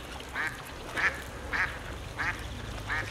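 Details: Whooper swan wintering in Olomouc, Czech Republic: a series of five nasal, honking calls, roughly one every 0.6 seconds, each short and evenly pitched, over steady broadband background noise.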